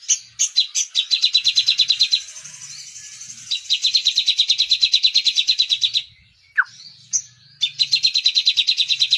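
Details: Crimson sunbird (sogon) singing a song filled with kapas tembak imitation: long rapid buzzy pulsed trills, high-pitched and steady, broken by a sharp descending whistled note, then the trill resumes; faint low hum beneath.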